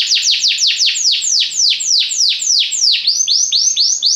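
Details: Belgian canary in song, a steady run of quick downward-sweeping whistled notes, about four per second, shifting near the end to slightly rising swoops.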